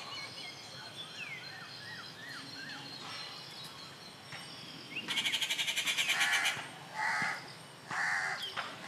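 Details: A rufous treepie at A. Kattupadi on June 19, 2021 gives a loud, harsh, rapid rattle, then two grating nasal notes, after faint whistled notes from other birds.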